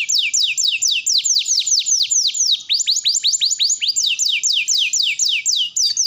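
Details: Long canary song used as a lure to teach other canaries to sing, made of fast repeated downward-sweeping whistles in a steady rolling trill without pause.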